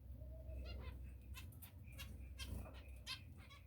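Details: Finches calling: short nasal, tinny notes with stacked tones, repeated irregularly, heard over a steady low hum and some rustling.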